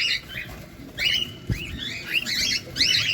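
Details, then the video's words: Cockatiel feeding at close range, giving harsh, buzzy chirps in quick bursts alongside a brief low thump midway. "Cockatiel bird.Feeding close up! II কোকাটেল পাখি"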